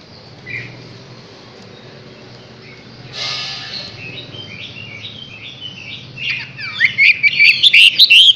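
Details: Chinese hwamei, six months old, starting softly with a few scattered notes, then building after six seconds into loud, rapid, varied whistled phrases that rise and fall and come faster toward the end.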